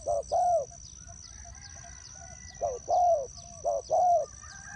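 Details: Spotted dove kept as a decoy in a bird trap, delivering two short cooing phrases of a brief note followed by a longer mellow coo, separated by a quiet gap, with a steady high drone behind.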